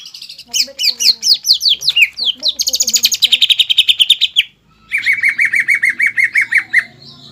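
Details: Green leafbird in full, lively song loaded with fighting mimicry, meant to rouse a rival leafbird; rapid high chirps and down-slurred notes in a dense rolling series, then a brief pause and an even buzzy trill-like run.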